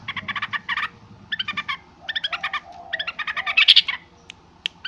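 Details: Yellow-vented bulbul calling noisily in short bursts of quick, scratchy chirps, four clusters separated by brief gaps, the last burst rising into a sharper, brighter note.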